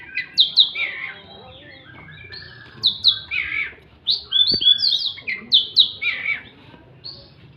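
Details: Oriental magpie-robin in full voice while fighting: loud bursts of clear whistled and slurred notes, some rising and some falling, delivered in rapid phrases with short gaps between them.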